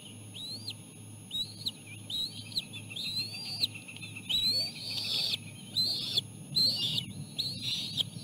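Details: Bald eagle nestlings squealing as the mother feeds them seal placenta, the youngest taking most. Arched, high whistled notes repeat roughly once a second and grow louder and harsher toward the end over a low background hum.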